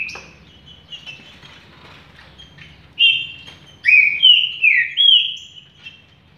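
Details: Green-winged saltator song: after a quiet, faint opening, loud clear whistled notes begin, some sliding downward, in a short rich phrase with a low background hum.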